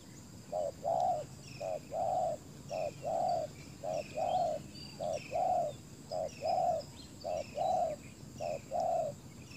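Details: Spotted dove used as a ground decoy to lure wild doves, cooing in steady rhythm: a short low note followed by a longer rolling coo, repeated about every second, with faint high chirps from other birds behind.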